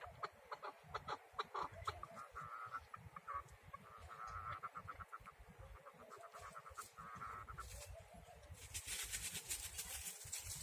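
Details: Male and female chukar partridge kept together in a yard, giving runs of short clucking notes in repeated bursts over steady rustling and background noise, with a hissing burst near the end.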